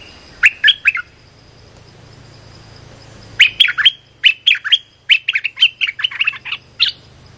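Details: Streak-eared bulbul lure call for trapping: a short burst of chirps, a pause of over two seconds, then a long busy run of quick bright chirping notes, over a faint constant high tone.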